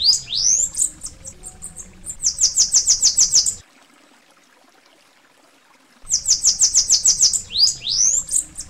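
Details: Bananaquit (sibite, Coereba flaveola) from Brazil singing a high, thin, wheezy song: sweeping slurred notes, then a fast stuttering run of sharp buzzy ticks. A silent pause follows before the phrase repeats.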